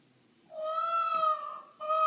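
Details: A peacock from down the road calls at 6am on a patio: a loud, sustained, nasal wailing note lasting over a second, a short pause, then a second identical wail begins.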